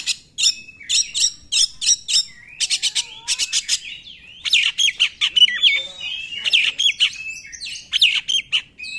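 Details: Oriental magpie-robin song played to make unwilling magpie-robins sing; evenly spaced bursts of harsh buzzy notes in quick series, followed by a lively flow of mixed whistles and rasping phrases.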